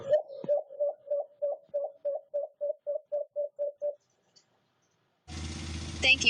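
A White-eared Brown Dove gives about fifteen low, hollow hoots at a quick, steady pace, about four per second. Brief music follows after a pause.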